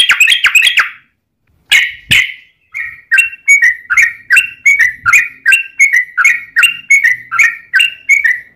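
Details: Provoking song of a yellow-vented bulbul to set off other bulbuls: a fast chattering burst, a pause and a loud harsh note, then a long series of rich gurgling phrases repeated roughly three per second.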